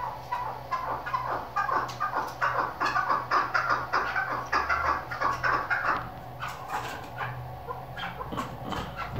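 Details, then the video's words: Female chukar partridge call of the kind used by hunters: rapid, uneven run of short clucking notes, about 150 per minute, mid-pitched, over a steady low hum. "dasi madi female shiakri chakor keklik sesi hunter birds hunting sound"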